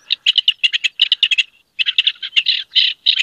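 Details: A rock partridge in a hunting district (C.A.CN5) gives its courtship song: rapid, harsh, clipped chattering notes in two rhythmic bursts separated by a short pause.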